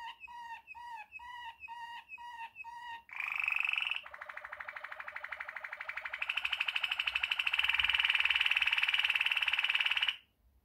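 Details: Klokkende tour from a Waterslager canary: evenly spaced bell-like notes for three seconds, then a long rapid rolling trill that grows louder and brighter before stopping abruptly.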